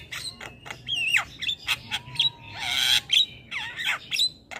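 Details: Javan myna singing 'gacor', chattering continuously: twisting whistled phrases, sharp downslurs and a long harsh hissing rasp, with a thin steady tone in the background.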